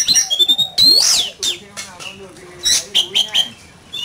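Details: Oriental magpie-robin, kept as a cage bird, singing hard in a fighting-song duel: clear whistled phrases and sliding notes, high and bright, broken by short gaps, with low human voices murmuring underneath.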